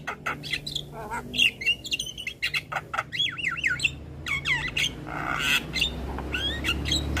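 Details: Vigorous Javan myna song for training young mynas: grating bursts, then a rapid wavering whistled trill rolling up and down, followed by squeaky slurred notes and harsh rasps, over a low hum.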